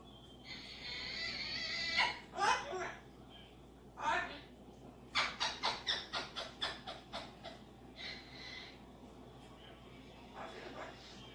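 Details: Pet cockatoo talking and making noises indoors: a long, harsh, raspy squawk, then a rapid run of about ten sharp clicking bursts, followed by a few shorter grating squawks in a small room.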